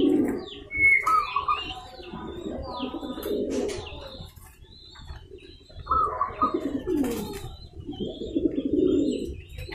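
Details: Local zebra dove provoking rivals to answer, with a female also calling; soft cooing phrases in bursts around two and six seconds, accompanied by high chirps from other birds in a reverberant, room-like setting.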